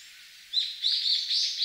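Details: Brown-eared Bulbul in a park in winter gives a loud, shrill, slightly buzzy call of run-together squealing notes around the upper-middle pitch range, lasting just over a second.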